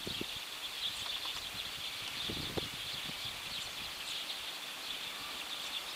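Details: Flock of Eurasian tree sparrows perched in a ginkgo tree in the evening, many birds chirping at once into a dense, continuous high chatter, with scattered low thumps and rustling underneath.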